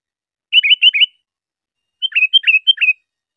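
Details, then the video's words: Sooty-headed bulbul song for training cage birds: two bursts of quick whistled notes, each dropping then rising, three to five per phrase, clean with no background. "suara burung kutilang || UNTUK ISIAN,mewah dan unik belum ada duanya"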